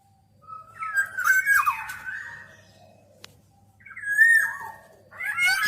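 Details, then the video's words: A Black-naped Oriole (Oriolus chinensis) gives harsh, nasal, slurred calls with rising and falling whistled tones in two drawn-out bursts with a brief pause between, in an otherwise quiet setting. "Tiếng chim Vàng anh Gáy đen"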